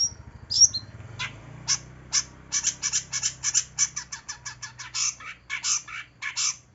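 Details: Long-tailed shrike (cendet) in a recording used to lure a shrike reluctant to sing: a few high whistles, then a fast series of harsh, rasping notes, several per second, over a faint low hum.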